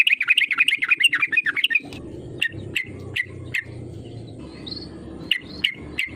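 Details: Yellow-vented bulbul singing hard as a provoking lure: an energetic bubbling chatter of quick notes for about two seconds, then sparse sharp chips, a short rising whistle, and a steady low hum beneath.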